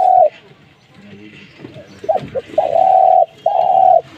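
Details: Spotted dove giving a short clipped coo, then after a pause with faint voices two long drawn-out low coos in quick succession.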